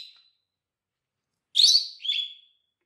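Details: Lovebird chirp, part of a teaching recording for other lovebirds; after silence, a harsh rasping squawk followed by a thinner whistled squeak trailing off.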